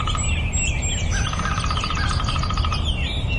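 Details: Nightingale song: a long buzzy pulsed rattle of rapidly repeated notes lasting over a second, surrounded by high thin whistles and chirps, against a steady low background hiss and rumble.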